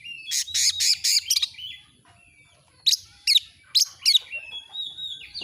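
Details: Oriental magpie-robin (kacer) song for a tutor recording: a rapid burst of sharp chirps, a quiet pause, then four spaced high whistled notes followed by soft drawn-out whistles.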